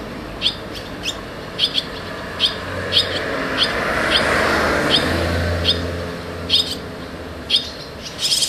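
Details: Barn swallow chicks moving in and out of the nest, giving short high chirps in scattered bursts, with a passing vehicle rumbling in the middle.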